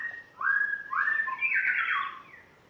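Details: Song of a spotted morning-thrush from Tanzania, first day in its new home: rich, overlapping whistled notes that swoop upward and back down in one short, fluid phrase.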